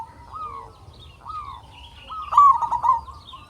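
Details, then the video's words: Zebra dove of local stock, singing to lure other doves into song: two short rising coos, then a louder rolling, stuttering trill, with faint higher chirps of other birds behind. "Perkutut Lokal Gacor RAJA PIKAT Ahlinya Bikin Semua Burung Perkutut Gacor Nyaut"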